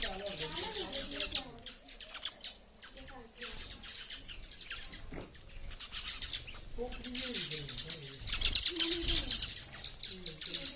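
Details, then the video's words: Sparrows calling at a school, a busy stream of short high chirps and tweets repeated rapidly, with voices and lower murmuring sounds in the background. "sparrow birds voice in my school"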